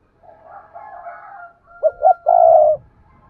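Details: Cooing of a decoy spotted dove meant to attract wild doves: a subdued, wavering preamble, then two short hoots and a loud, prolonged, trilled coo, with faint low rumbling afterwards.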